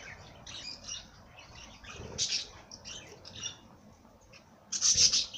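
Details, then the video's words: Birds singing with soft, high twitters and chirps, then a sudden loud burst of shrill chattering near the end; faint low rustling in the background. "Bird sing song madár ének"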